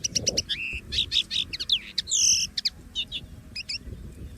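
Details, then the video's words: Common linnet living free in nature gives a bright, fast song of repeated chirps, twanging whistles and a long buzzy slurred note, ending with a few sharp notes; low background noise. "CANTO DO PINTARROXO Comum LIVRE na Natureza!!!"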